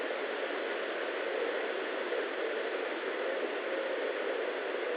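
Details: Even, unbroken static hiss from a nest camera, without any animal calls.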